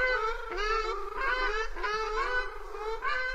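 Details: Ruddy shelduck calling: nasal, goose-like honks with rich harmonics, repeated in overlapping bouts roughly every half second to second, several calls run together with steady low background hum.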